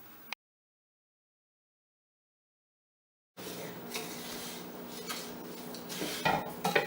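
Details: Kitchen clatter of dishes and cutlery with a steady low hum after a stretch of silence, and no animal voice.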